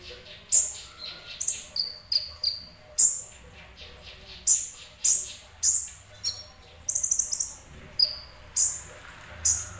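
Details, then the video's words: Sunbird (kolibri ninja) delivering semi-gacor song: bright, very high-pitched chirps and short falling whistles, sometimes in quick doubled or tripled notes, spaced about a second apart. "Burung Kolibri Ninja Semi Gacor"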